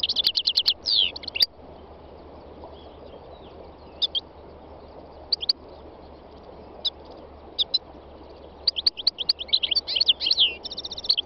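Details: In the north-west mountains of Tunisia on a spring day, a three-year-old North African goldfinch opens with a fast twittering run, drops to sparse single chirps, then ends with a busy, jangling phrase.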